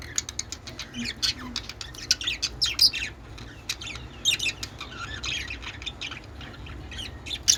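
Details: Budgerigars playing with one peach, said to be mating; busy high-pitched chattering of rapid chirps and squawks throughout, with a faint low voice in the background.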